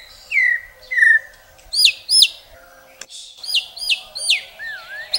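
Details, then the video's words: White-rumped shama song with rich filling and long bursts: two clear falling whistles, two loud ringing swooping notes, a short gap, then a quick run of sweeping notes ending in a wavering whistle. "Masteran Murai isian mewah tembakan panjang panjang super pedas | shama bird song"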